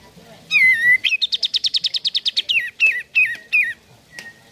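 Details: Sooty-headed bulbul singing as a lure for caged birds: a long descending whistle, a rapid rattle of repeated bright notes, then several separate slurred, falling phrases and a final short tick.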